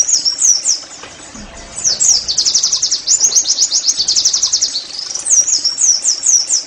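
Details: Caged-bird therapy song of the Oriental white-eye: high twittering phrases of slurred notes, then a long fast burst of rapid repeated chirps, then more looping downslurred whistles.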